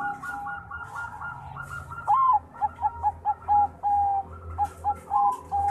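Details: Champion Bangkok-type zebra dove in full voice: a soft cooing lead-in, then a rising whistled note followed by a quick run of short, rhythmic coos and drawn-out, level tones.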